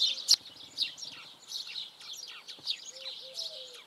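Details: Eurasian tree sparrow singing: irregular bursts of high, sharp chirps and short descending notes, some louder clicks, over soft background noise and occasional low cooing tones.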